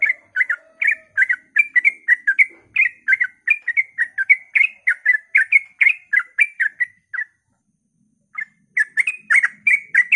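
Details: A sooty-headed bulbul gives its dawn song, meant to draw other bulbuls into singing: about seven seconds of rapid bubbly whistled notes, a one-second silence, then the chattering phrases resume.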